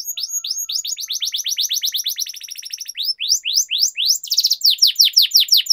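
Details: Canary song for singing training: a rapid series of rising chips accelerating into a rolling trill, then slower, louder upward sweeps with one brief buzzy burst.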